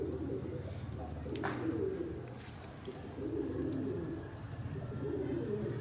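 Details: Pigeons kept in a fancy loft cooing: low, soft, rolling coos in short bursts every second or two, overlapping with one another, over a steady low background hum.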